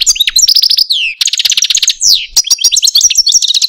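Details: Short burst of complex song from a caged Algerian Parva goldfinch, a pet male: quick stacked chirps, a falling slurred whistle, dense buzzy trilled runs and high twittering, all loud and close.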